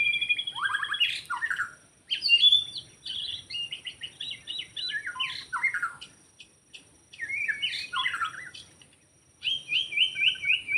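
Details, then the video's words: White-rumped shama recorded in the forest while bird trapping, singing bursts of rich, varied whistles and rapid descending note series, separated by short pauses, with little background noise. "Rekaman suara asli murai batu hutan ketika sedang mikat"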